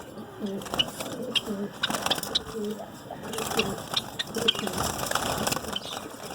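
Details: Zebra finches and snow white finches give short nasal beeps and sharp high chirps in a busy aviary chorus, with lower soft coo-like notes underneath; Zebra finch.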